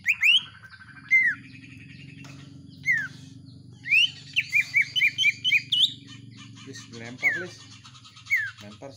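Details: Household greater green leafbird paired with common iora sounds, in energetic song: scattered slurred whistles, then a rapid string of short clear notes, more falling whistles, over a steady low background hum.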